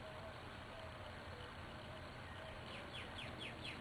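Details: A female Gila woodpecker visiting a backyard feeder in Arizona gives a quick run of sharp, dropping notes, about four a second near the end, over steady traffic rumble.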